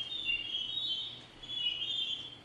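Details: Archer's Ground Robin, an Albertine Rift forest endemic in Rwanda, a single bird singing two sustained, wavering whistled phrases that overlap so it sounds like two birds, presumably using both syrinx sides; it throws its voice. Faint hiss.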